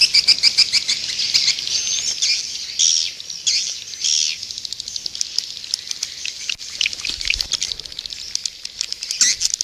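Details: Edible-nest swiftlet lure call from Indonesia for an outdoor nest house: layered high chattering twitters, quick repeated chirps and clicks, with denser bursts of sound in the first few seconds.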